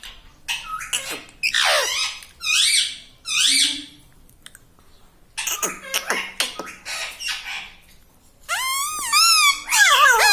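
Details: Chatty pet parrot, said to repeat "Mummy" and "Papa" non-stop, produces many short, buzzy, harmonic phrases with pauses, then a long series of rapidly wavering, warbled syllables near the end, in a small room.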